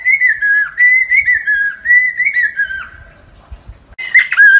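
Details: Lesser necklaced laughingthrush singing for trapping lures, giving long slurred whistles that waver up and down in pitch, a fading trailing note, then a short burst of louder whistling after a pause.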